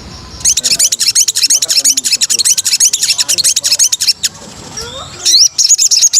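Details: White-rumped shama training material, said to sing in a rapid-fire 'nembak' style: a dense, high-pitched run of fast repeated chips and trills, briefly giving way to a slurred whistle before the chatter resumes.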